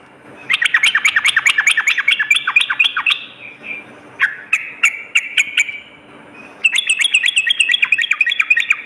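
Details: Sooty-headed bulbul at night, for boosting a caged bird's fighting spirit: long fast rattle of bubbly notes with high clicks, a looser stretch of single chirps, then another dense burst.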